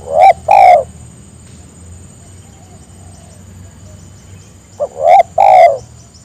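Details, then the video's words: Spotted dove cooing to draw other birds into calling: two complete phrases, each a brief opening note followed by two full, low, hollow coos, separated by about four seconds of quiet background hum. "Suara burung tekukur memangil teman agar ikut bunyi"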